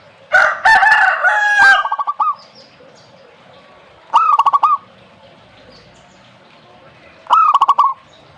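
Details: Noisy chattering from another bird opens, then a zebra dove gives two separate phrases of rapid, evenly pitched coo notes, each ending with a longer note.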